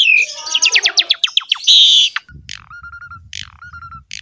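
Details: Javan pied myna, recorded to train other mynas to sing. Rapid downward-sweeping chirps and a harsh buzz, then harsh calls each trailed by steady whistled notes over a low rumble.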